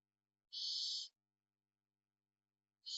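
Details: A single rough, broadband hissing screech from a barn owl in Spain, heard during parental care, followed by silence and the start of another hiss at the end.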